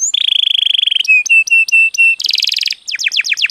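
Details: Canary song meant to coax other birds into singing: a long steady whistled tone, then short clipped notes, a harsh buzzy burst, and finally quick descending sweeps.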